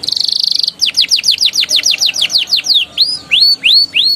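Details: Canary song for prompting young birds to sing: a very rapid buzzing trill, then a dozen evenly spaced falling whistles, followed by slower upward-curving notes about three per second.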